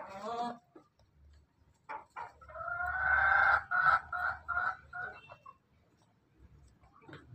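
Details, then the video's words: Afternoon crow of a Pelung and Bangkok laughing chicken cross: an opening harmonic note, then a drawn-out wavering crow broken into pulsed segments, fading after about five seconds. "satria sinekti sore hari Ayam pelung bangkok ketawa persilangan ayam jogja"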